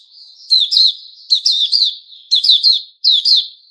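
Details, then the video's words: Kept white-rumped shama (Puteh Raja), 29 August 2021, delivering twittering song: a long thin whistle leading into three or four bursts of bright, sharp notes, quiet surroundings. "Puteh Raja Sing Buka"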